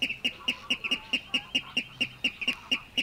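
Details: Water Rail recorded in the reed beds of Matsalu: a brisk, rhythmic chain of sharp, ringing high notes at about four per second, mostly evenly spaced, with one quick double note near the middle.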